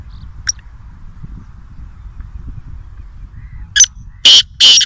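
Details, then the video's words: Black francolin calling near Nawabshah: after a quiet start with low rumble and a single faint high note, a harsh, grating phrase of about four loud, broadband notes, the last two longest, comes at the end. "Kaala Teeter (Voice Only) | Black Francolin | Black Partridge"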